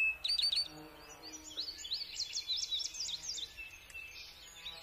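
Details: Song sparrow singing: a few sharp high introductory notes, then a fast, varied series of slurred, chirping phrases with rising and falling tones, over a faint background hiss and softer distant chatter.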